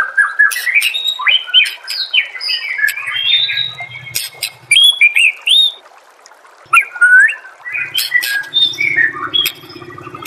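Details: White-rumped shama master song for training other birds: a rich, varied stream of clear whistles, slurred rising and falling phrases and sharp clicks, broken by brief pauses, with faint low rumbling in places.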